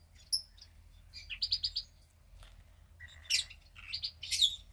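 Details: Female cockatiel chick about fifteen days old, second of a clutch born to a pied pair. Quick clusters of high squeaky chirps come in short bursts, rising to sharp, bright peaks toward the end.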